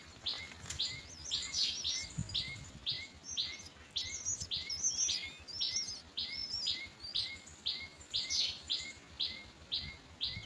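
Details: Myna chicks waiting in the nest to be fed by their parent beg with harsh, rasping high calls repeated about twice a second, each paired with a short lower chirp, steady throughout.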